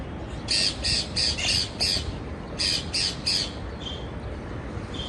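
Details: Parakeet calling with a string of short, harsh, high squawks in uneven bursts, fading to a couple of thin faint notes at the end, over constant low background noise.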